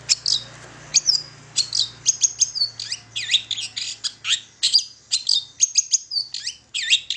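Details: Long-tailed shrike singing briskly as a lure for other shrikes: continuous high squeaky chips and short whistles packed closely together, over a faint low hum.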